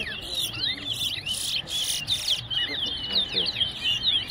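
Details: Large-billed seed finch (towa towa, Wessequibo) in a whistling contest at Tuschen bird ground, Guyana, pouring out fast high warbled whistles, with hissy noise bursts and faint voices behind.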